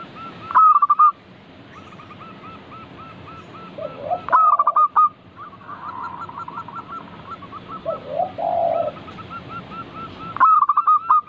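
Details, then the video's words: Local zebra dove in lively song, used as a lure to set other doves singing. Stuttered opening notes are followed by trains of short coos. Lower, burry, rolling notes sound between the phrases, and a phrase repeats near the end. "Pancingan burung perkutut lokal gacor - 100% bikin cepat bunyi langsung nyaut manggung"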